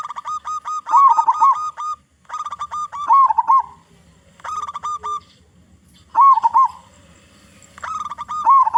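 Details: Local zebra dove singing loudly, a lure meant to make other zebra doves sing. Runs of clipped notes lead into a rolling, warbled coo, and the phrase repeats about five times with brief gaps.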